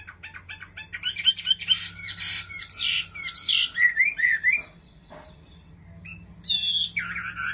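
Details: Kept Chinese hwamei from Bình Định, Vietnam, singing a rich, varied run of loud whistled and slurred phrases, some fast and chattering, pausing about two seconds before a final burst of high notes; faint low hum underneath.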